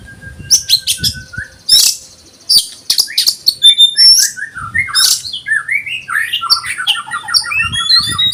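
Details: Oriental magpie-robin in 'konslet' style song, said to push other birds into agitated singing: loud harsh chattering bursts mixed with sharp whistled notes, then a fast run of rising and falling scratchy phrases, over a low hum.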